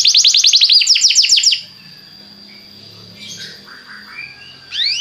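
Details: Belgian canary song used to get other canaries singing: a loud, fast trill of high repeated notes for about a second and a half, a quiet pause with faint soft notes, then a rising phrase starting at the end.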